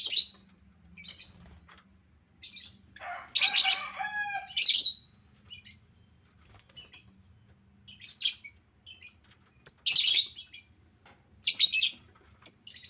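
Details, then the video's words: Albino lovebird: scattered shrill chirps and loud buzzy squawking bursts, including a long harsh chatter near four seconds and sharp screeches around ten and twelve seconds. "burung lovebird albino yang jadi primadona"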